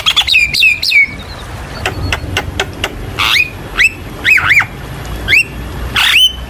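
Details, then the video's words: Javan myna song used as a lure to get young birds singing: loud squeaky whistled notes sweeping up and down, with sharp clicks and rasping bursts in uneven phrases and gaps between. "Masteran ampuh untuk burung jalak kebo malas bunyi"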